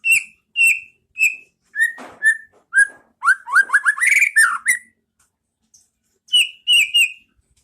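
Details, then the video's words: Masteran song of a White-rumped shama, pastol ngeplong style, for training caged birds: a run of evenly spaced clear whistles, a burst of rapid rising slurred notes, then three more high whistles after a pause. "Masteran Pas Burung Murai batu Biar ikut bunyi"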